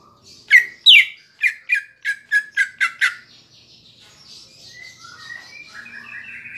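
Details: Caged cucak ijo song played to provoke a bird into singing: a series of eight loud, sharp descending chips about three per second, then a softer twittering warble of mixed whistles.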